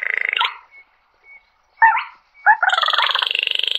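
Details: Slaty-breasted rail flock call: rasping buzzy bursts at start and end with two short dropping croaks between, close and loud.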